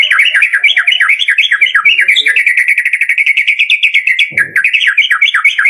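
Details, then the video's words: Caged-bird lure song of a white-rumped shama, full variation: an unbroken stream of fast, looping whistled notes repeated several times a second, with a brief soft rustle near the end. "SUARA PANCINGAN BURUNG MURAI BATU DOOR FULL VARIASI"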